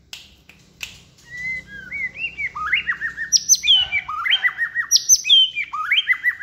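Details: A young white-rumped shama, kept caged, sings a varied multi-voiced 'string voice' song: after a few clicks, rapid sweeping whistles and sharp upslurred notes climb and tumble in a lively, densely packed phrase.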